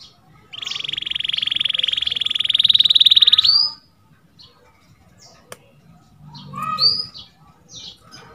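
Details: Canary singing as a training song model: a long dense buzzy trill rising slightly for about three seconds, ending in an upward whistle, followed by quiet pauses and a few faint chirps.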